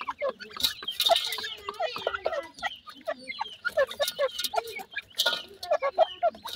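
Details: Teetar chicks, a francolin family in care, feeding amid a busy stream of sharp high cheeps and soft clucking notes, with rustling and tapping between calls.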